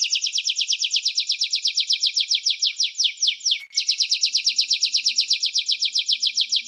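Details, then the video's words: Canary song of rapid descending chirps in a steady fast trill, briefly broken by a short downward slide, then resuming the same quick rhythm; faint low hum in the background. "Canary-Canario Singing 2017(Kanarya Ötümü)"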